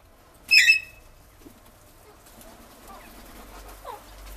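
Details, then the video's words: A rose-ringed (ringneck) parakeet gives one harsh, shrill screech lasting about a quarter second, followed by faint, soft background sounds. "Ringneck parrot videos compilation || parrot sounds ||parrot voice"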